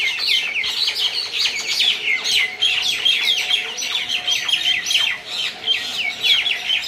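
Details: Common mynas fighting at Talepur, Kalatia, Keraniganj, Dhaka, Bangladesh: a dense, continuous stream of harsh chattering, squeaky and whistled notes, with several birds calling over one another.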